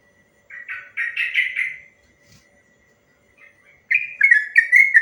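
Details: Long-rapid 'ropel panjang' song of a sooty-headed bulbul, played to make other bulbuls reply: a chattering run of liquid, slurred whistles, a pause, then a louder second burst of rolling notes.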